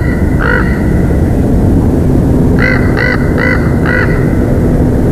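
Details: At a Big Bear Valley nest on 3 October 2023 in the afternoon, a bald eagle gives one clear ringing note, then after a pause a quick run of four piercing notes, with constant loud wind roaring.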